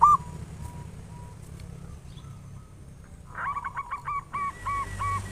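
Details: Local zebra dove with a big voice, giving song used as a lure for other doves. After a near-silent stretch with one faint note, a quick chain of hooked cooing notes, then a second paired series over rising background noise.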